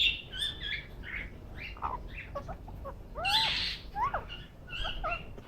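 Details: Green ringneck parakeet kept as a pet chatters contentedly during a head massage, giving a run of varied squeaks, chirps and curved whistled notes, including a louder harsh burst midway, over a faint low hum.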